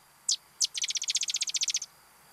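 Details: Sedge Wren, a bird of shallow marsh margins, wet meadows and sedge marshes, sings two separate high, dry introductory chips, then a fast, even rattle of about fourteen chattering notes lasting just over a second.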